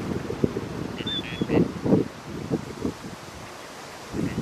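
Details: Gadwall on the Tama River, Japan, giving short, low, burping croaks in an uneven series, with a brief thin whistle from another bird and a steady background rumble.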